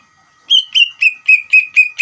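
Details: Lure song of a greater green leafbird meant to make another leafbird answer: after half a second of quiet, six clear whistled notes repeat evenly about every quarter second, each dropping slightly in pitch.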